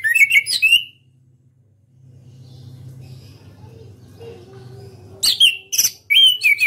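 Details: Orange-headed thrush, a caged national champion in ngeplong song style, gives a loud twittering burst of whistled slurs, falls quiet for about four seconds with a low background hum, then resumes with sharp clicks and high whistles.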